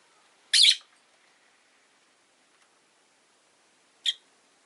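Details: Caged rosy-faced lovebird, one of five by a window, gives a loud, harsh, rasping chirp followed about three seconds later by a shorter, thinner one, with quiet in between.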